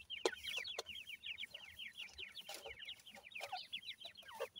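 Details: Francolin chicks with their family, giving a steady stream of quick, high, thin peeping notes that overlap and tumble over one another, broken by a few sharp clicks and light background rustling.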